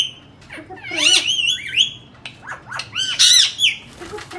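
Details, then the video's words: Indian ringneck parakeets making sounds: a series of harsh, rising and falling squawks and screeches, some with sharp downward sweeps, in several bursts over a few seconds, with faint low background hum. "Indian parrots talking and making sounds lovely and best voice"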